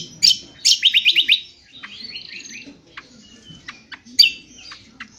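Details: Indonesian honeyeater (Lichmera limbata) gives a harsh, rapid twitter: a burst of about six high chirps, then softer scratchy notes and a sharp chip.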